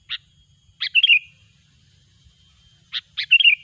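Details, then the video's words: Sooty-headed bulbul trapping lure: a lone sharp chirp, then a chirp with a rolling, bubbly descending warble. After a pause the same phrase pattern comes again, loud against a quiet background. "suara burung kutilang gacor pikat terampuh"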